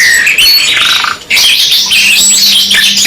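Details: Canary, 2-in-1 masteran song: a buzzy rolling trill, a brief pause, then a dense high warble of chirps and whistles, soft low hum near the end.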